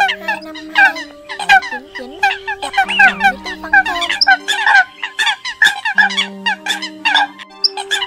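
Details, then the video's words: Lure recording of Eurasian coots used for trapping, October 2020: many birds calling at once, clipped honking notes crowding together, over sustained low tones that bend and slide. "Tiếng Sâm Cầm Mới Nhất 2020"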